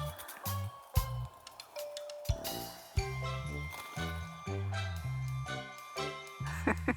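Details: Only music plays: a bouncy tune with deep bass notes and bright jingling bells, and no animal calls.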